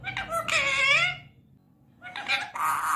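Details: Talking Indian ringneck parakeet producing a long, speech-like phrase of bending harmonic tones, a short silence, then another quick phrase ending in a rougher, buzzier sound.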